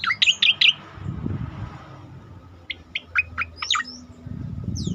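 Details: Striated grassbird bursting song used to train and provoke other cage birds: a fast cluster of high chirps opens, then a pause with low rumbling noise, then clipped sharp notes and whistled slurs.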